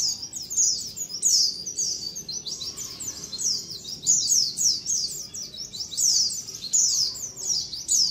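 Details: Pleci, or white-eyes, in a colony chorus used as a lure: unbroken stream of overlapping high, twittering downslurred chirps from several birds.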